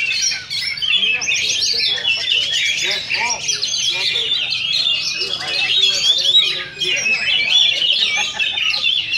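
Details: Oriental magpie-robins in a contest duel, session 2 of a Sindanglaut Sunday practice event: loud, dense warbling of high whistles and rapid chatter, accompanied by people's voices and calls.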